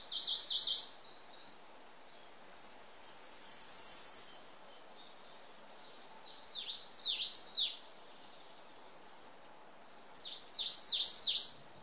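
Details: Ijima's leaf warbler (Phylloscopus ijimae) singing near the Akakokko-kan on Miyake-jima: four high, thin phrases in twelve seconds, each a quick run of sharp, sweeping notes, one a buzzy trill, over faint background hiss.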